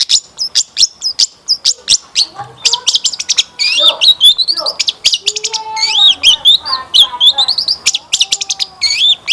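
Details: Long-tailed shrike in constant, richly varied song, used as a lure for other shrikes. Dense, fast chattering ticks mix with high looping whistles and a few lower slurred notes.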